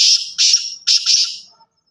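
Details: Black francolin calling: loud, harsh, grating notes in quick groups, three rasping bursts in under two seconds, the last trailing off, with no other sounds.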